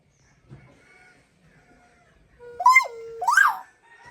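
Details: A pet talking common hill myna at a farm home in the morning speaks two clear, voice-like syllables after a quiet start, a rising-then-falling phrase then a brighter, higher one, in a quiet setting.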